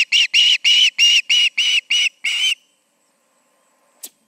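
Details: Osprey calling at the nest at 7pm in August, two birds together; eight loud, shrill chirps in quick succession, then quiet with a single faint click near the end.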